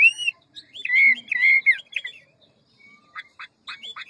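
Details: Hwamei song, ngũ trường style with forest voice and many varied phrases: a rich warbling whistled run over the first two seconds, then after a gap several short clipped notes in quick succession.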